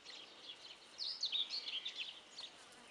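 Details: Young helmeted guineafowl keets, roaming about like meerkats, giving thin, high peeping chirps in a quick jumble that peaks midway, over a quiet background.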